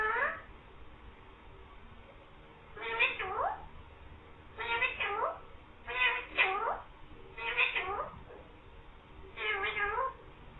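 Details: Green parrot speaking "mian mithu" and meowing; six short harmonic, catlike phrases repeated roughly every one and a half to two seconds, each sweeping down and back up.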